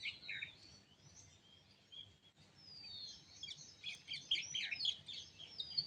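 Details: Morning birdsong at sunrise: soft high chirps and a drawn-out whistle at first, building to dense, rapid twittering and sharp chip notes from several birds near the end.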